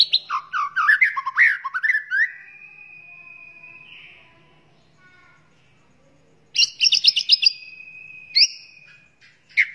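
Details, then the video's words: White-rumped shama singing as a training model for other cage birds: a fast tumbling run of varied whistled notes, a long flat whistle, a quiet pause, then rapid high chattering notes and another drawn-out whistle. "Muray Batu Gacor Full Masteran Isian Banyak"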